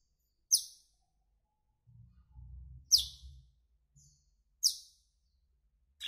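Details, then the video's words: Asian glossy starling calling with three loud, sharp, high descending chirps about two seconds apart, with a soft low rumble between them. "ASIAN GLOSSY STARLING"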